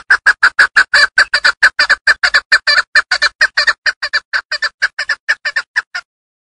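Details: Rhythmic run of loud, raspy chuck notes from a female hunting chukar partridge of the Darvoz district, Tajikistan, repeated steadily at a little over one per second, then slowing and stopping.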